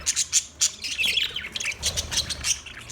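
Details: High, sharp chirps from budgerigars repeat rapidly, about three or four per second, mixed with brief scratchy squawks.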